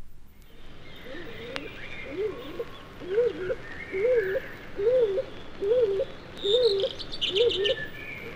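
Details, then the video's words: In British woodland, where its song persists from February to early July, a shy stock dove gives a soft, musical, low hooting of double notes, about one and a half a second; faint high chirps of another bird come in near the end. "The shy stock dove has a musical, not loud song that fits the woodland scene very well and is quite persistent from February to early July."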